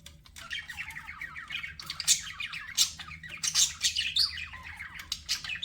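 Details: Pet budgies chirping and chattering in a dense flock, high warbling notes and squawky bursts overlapping continuously, with a low steady hum underneath.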